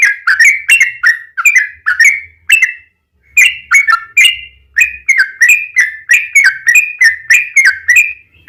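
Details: Yellow-vented bulbul, used as a lure for other birds, gives clustered chirping, slurred whistled phrases in quick succession, with one pause of about a second midway.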